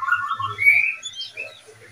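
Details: Oriental magpie-robin from a breeding pair: a brief run of mid-pitched whistles followed by one long bright upward-slurred note and fainter higher chips, with a low hum underneath.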